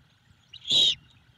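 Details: Great horned owlet begging for food at its nest in Savannah, filmed by a nest camera on 3/15/22 while its mother turned back to feed it leftover squirrel: one harsh, hissing screech lasting about a quarter second over a faint low hum.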